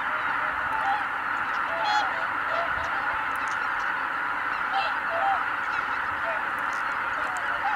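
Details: Kabukuri-numa, Japan, 12 January 2019: Greater white-fronted geese taking flight as one flock. A thick wall of overlapping calls, pierced now and then by sharper, ringing honks, some in quick pairs.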